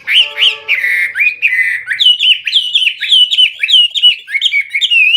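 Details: Hwamei (wambi) singing in the loud, clear 'gacor full isian' style: a rapid run of rich whistled, slurred notes, some with harsh overtones early on, repeated in quick rising-and-falling phrases about every third of a second.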